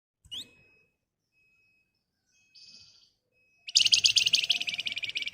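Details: Flamboyan bird singing in the lively, agitated ngebren style: a few thin high chirps, then a dense, fast, buzzy trill of rapidly repeated high notes. The recording serves as a lure to prompt other birds to answer.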